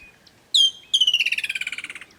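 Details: Woodland Kingfisher in Kruger National Park bushveld, summer: a sharp high note, then a loud, bubbling trill of about fifteen notes that slows and drops in pitch over a second.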